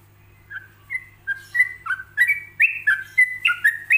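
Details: Yellow-vented bulbul singing a relaxed 'ropelan' tutor song with pauses, meant for other bulbuls to imitate: short whistled notes rising and falling, quickening into a steady run of about fourteen bright phrases with a faint low hum beneath.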